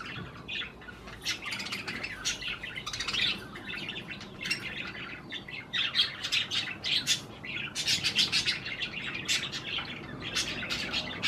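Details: Budgerigars at cherry tomatoes give a steady stream of rapid, scratchy chirps and warbled chatter, growing denser toward the end, with a little low background noise.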